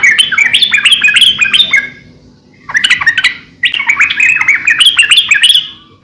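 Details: Yellow-vented bulbul singing loud, energetic song used as a master recording to lure and train birds: bubbly, warbling phrases of quick rising and falling notes in two bursts separated by a short pause.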